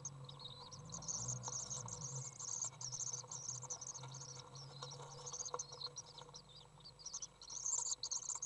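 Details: Young common swifts, three chicks in a nest box, beg while being fed on June 15th 2011, giving rapid shrill, high trilling bursts in overlapping waves, with a low hum underneath that fades after a few seconds.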